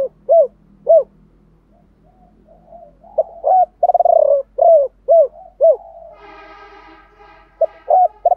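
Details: Spotted dove used as a decoy, cooing in the 'gọi 3 hậu' style with a 'thổ pha' voice: short arched hooting notes in uneven bursts, a rolling purr near four seconds, then a harsher buzzy harmonic sound before the final coos.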